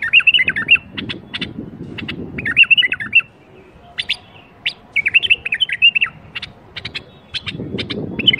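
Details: Bulbul birwaz, a recording played to get quiet bulbuls singing: short liquid whistled warbled phrases repeated about every two to three seconds, with sharp high chirps between them and a low rumbling background.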